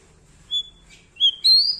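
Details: Bar-winged prinia, singing loudly: a clear high whistled note, a short pause, then two more pure whistles, the last held longer and climbing slightly.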